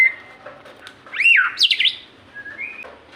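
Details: Captive white-rumped shama singing, played to make other caged shamas sing: a thin steady whistle, then loud rising-and-falling slurred phrases and quick high notes, ending with a short clear whistle.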